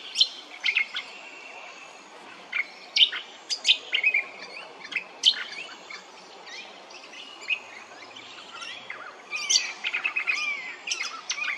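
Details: Brown honeyeater at Hervey Bay, Queensland: a lively series of sharp chirps and whistled slurs spaced through the recording, becoming busier and more rapid near the end.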